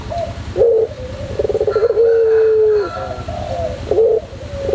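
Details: White pelung-type Barbary dove singing on a training recording. Brief deep coos lead to a rolling, pulsed section and then a prolonged steady low coo. Short coos return afterwards.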